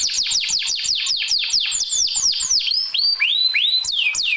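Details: Canary singing isian, a filler song used for birds reluctant to sing: a string of quick descending whistled slurs, about four per second, changing to slower, looping upward and downward swoops.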